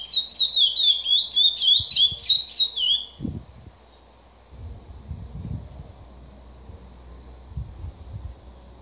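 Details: A captive-bred chestnut-bellied seed finch sings a fast run of clear, warbling whistled notes for about three seconds, then falls silent, leaving faint low thumps and background hum.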